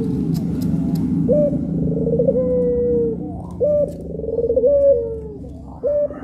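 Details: Puter pelung doves, two birds on a training tape: repeated phrases of a brief high note followed by a long rippling coo that falls gently, roughly every two seconds, over low background rumble and a few faint clicks.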